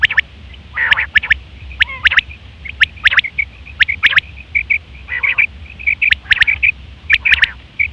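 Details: Female quail calls used to lure quails for hunting: rapid clusters of sharp, dry ticks mixed with short, thin, high tonal notes and a few lower, raspy nasal bursts, with a faint low hum behind.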